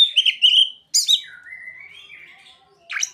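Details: Oriental magpie-robin song with ciblek and sogon mimicry: wavering whistled notes, a quick double chirp, then a long thin gliding whistle that rises slowly and ends in a sharp burst.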